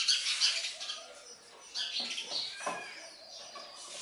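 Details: Young sparrows beg as a parent feeds them: bright, high twittering at the start, a quieter lull, then a renewed run of sharp, irregular chirps.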